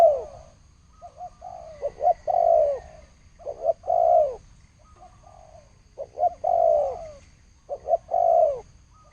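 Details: Thổ sấm style cooing of a spotted dove, 2020: repeated phrases of brief stuttered coos leading into one long, deep, downward-bending coo, with short quiet gaps between phrases and a faint background hum.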